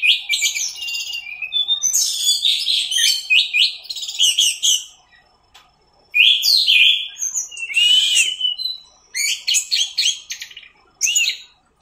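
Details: Orange-headed thrush in the teler style, recorded for tutoring cage birds: long, dense warbling phrases of mixed whistles and chatter, broken by a pause, with clear sliding whistles and quick rattles.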